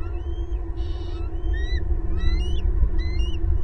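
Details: Bald eagle family at a big old nest in a pasture tree in Southwest Florida, 18 April 2022, adult pair and two eaglets at home: high, thin whistled notes rising and falling in short bursts over a steady low rumble.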